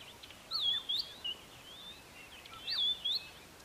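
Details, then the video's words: White-browed scrub robin calling at the Kap River Nature Reserve near Port Alfred in April 2019: two clear bursts of high, wavering whistled phrases, each a quick looping up-and-down figure, separated by a pause, over steady background hiss. "White browed Scrub Robin call"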